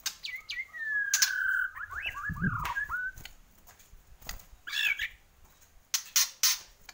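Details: White-rumped shama (Borneo form), a captive bird in full song, gives clear, swooping whistles that slide up and down, broken by sharp clicks and a short harsh burst, with sudden knocks and rustles around it.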